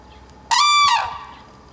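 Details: A single loud, ringing bugle from a red-crowned crane parent calling in a territorial duet at the Akan International Crane Center, Japan, 9 December 2022. The half-second note holds steady, then fades into quiet.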